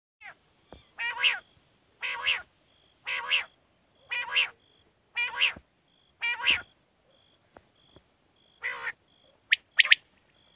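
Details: Quail call from Pakistan, played to lure quail for night hunting: harsh, buzzy bursts about a third of a second long, given roughly once a second in an uneven series, with a faint steady electronic tone running underneath.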